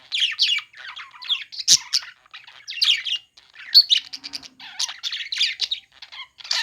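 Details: Pet budgerigars chirping while playing: a dense, continuous stream of short, bright, scratchy chirps and warbling notes overlapping one another, with brief pauses between bursts. No other sounds stand out.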